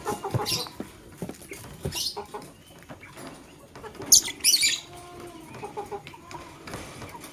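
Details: Male lovebird choosing a partner, with scattered sharp chirps and a loud burst of rapid, rasping chirps mid-way. Faint lower calls and light rustling sit behind it.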